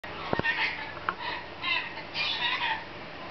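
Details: A pet female lorikeet, playing in a newly discovered play area, gives raspy, chuckling, laugh-like bursts: three short runs of harsh chatter over about three seconds, with a few sharp clicks early on.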